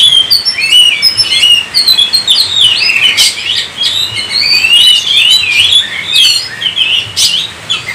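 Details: Continuous rich song of an Oriental magpie-robin, with rapid chattering whistles, mimic-like slurred phrases and a few harsh rasping notes flowing almost without pause.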